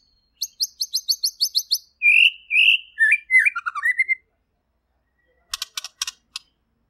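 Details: Varied song of a white-rumped shama, clear and loud: a rapid series of about ten high sharp notes, then rich slurred whistles dropping and rising, a brief pause, and a final burst of high clicking notes.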